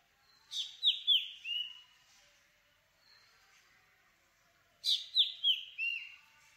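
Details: Black drongo calling twice about four seconds apart, each bout a rapid series of four sharp, downward-sliding whistled notes, bright and high, with a faint note in the quiet gap between them.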